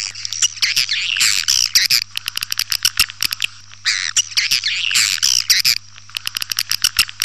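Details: Calling sound of swiftlets for attracting the birds: long runs of sharp clicks broken by two loud, raspy twittering bursts, all high-pitched, with a constant low hum in the background.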